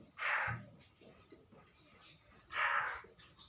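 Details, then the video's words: On 6 December 2022 a newly caught common hill myna, not yet talking, utters two loud, rasping squawks about two seconds apart, with faint low sounds between them. "burung beo baru di tangkap belum bicara"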